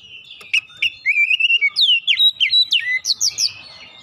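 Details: Oriental magpie-robin song played as a lure to make other birds sing: a few sharp clicks, then a smooth whistled note followed by a fast run of rising and falling whistles, about three per second.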